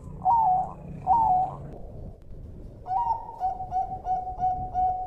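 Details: Bangkok-type perkutut, or zebra dove, singing on a training track. Two mellow double coos are followed, after a pause, by a long phrase: a rising note, then a steady string of clipped, evenly spaced coos.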